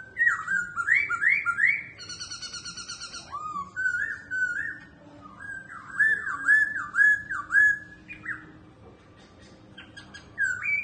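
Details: Caged laughingthrush singing while dancing and flicking its tail: loud, varied whistled phrases of rising, looping notes repeated in quick runs, with brief harsh chattering bursts between, indoors.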